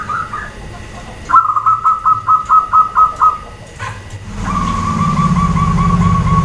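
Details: Female zebra dove calling to provoke males to answer: a quick run of about eight short, even coos at one pitch, then a steadier drawn-out tone as a low vehicle rumble swells underneath.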